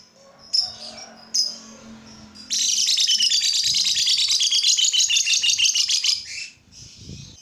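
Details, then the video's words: Lovebird song used to prompt other lovebirds into singing: after a few short chirps, a long fast run of buzzy, chattering high notes lasting about four seconds, then softer chirps. "Suara burung lovebird ini ampuh bikin lovebird lain ikut gacor"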